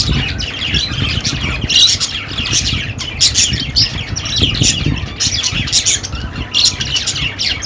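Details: Steady budgerigar chatter: many overlapping chirps, squeaks and short harsh squawks form an unbroken high-pitched babble for the whole stretch.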